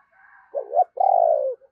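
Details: Lure spotted dove giving one cooing phrase: a quiet murmur, then a rising double coo and a long, even, buzzy coo that falls slightly at the end.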